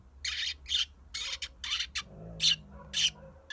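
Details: Pet Eurasian tree sparrow set out at the front door to sunbathe while a dog barks at it; harsh, bright chirps come in quick, uneven bursts, roughly two per second.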